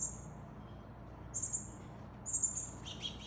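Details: Male Northern cardinal with a fledgling it is feeding; sharp, thin, high-pitched flat chips in two quick clusters, then a lower, buzzier note at the end, against a faint low rumble.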